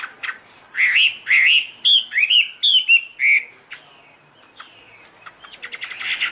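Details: Chinese hwamei pouring out high, pure vocals: loud, sweet whistled notes that swoop and slur in quick succession. A short pause follows, then softer trailing chirps.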